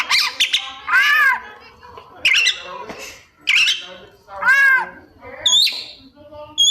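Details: Kacer, or Oriental magpie-robin, showing off its 'isian' mimicry: harsh arched buzzy calls alternating with thin high chirps and upswept whistles, spaced roughly a second apart, over a faint low background.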